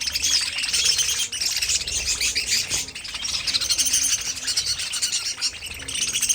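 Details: Aviary budgerigars, kept as a pet colony, fill the air with overlapping bright chirps and chattering warbles, dipping briefly before resuming.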